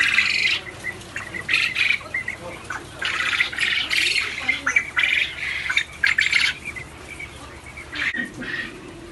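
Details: Quail on a farm in Abkhazia: a dense chorus of harsh, rasping squawks in overlapping bursts, coming several times a second with short gaps, with faint human voices in the background.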